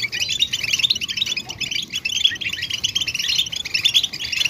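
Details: European goldfinch chatter offered as a stimulus for mute males to sing: rapid, overlapping high chips and jingling trills pouring out nonstop, lively and dense, over a soft low rumble.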